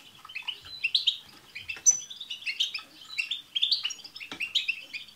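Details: Group singing of European goldfinches, meant to make a pet goldfinch sing, comes as lively bouncing phrases of twittered notes, rising chirps and a few thin, pure high whistles.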